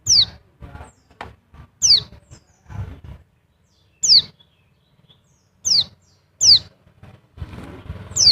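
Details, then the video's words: Dakun-style lure call of an Oriental white-eye from Bali, meant to stimulate other white-eyes: high, thin downslurred whistles at irregular intervals, interspersed with soft low knocks and rustling. "CALL PLECI DAKUN BALI"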